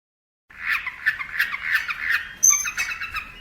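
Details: Long-tailed shrike master song for training birds, heard as a harsh, mid-pitched rasping chatter that pulses rapidly, with a sudden high whistled note breaking in near the end.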